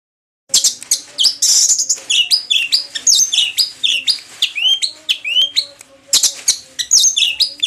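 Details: Orange-headed thrush after moulting, singing a rich, varied song of rapid whistled phrases, high trills and upward-sweeping notes, delivered continuously with short pauses, a faint low hum beneath.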